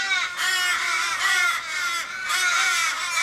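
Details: Australian ravens mourning a dying flock mate in a Kellyville street, Sydney, 1 July 2012; three long, harsh wailing caws that sag in pitch, overlapping one another without silence.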